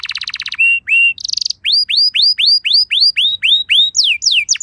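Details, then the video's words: Canary lure song: a rapid buzzy rattle, two rising whistles, a short buzz, then a regular run of upward-curving whistled notes roughly three per second, finishing with sharp downslurs. "Bakal Langsung Nyaut Burung Kenari Kondisi Apa Saja Dengan Pancingan Kenari Lagu Mewah Ini"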